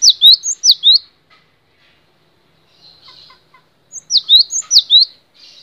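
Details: Cinereous tit, a long-duration training recording. Sharp, loud, high whistled two-note phrases, each note slurring steeply downward, are repeated rapidly for about a second, then a quiet gap with faint soft notes, then the phrases resume.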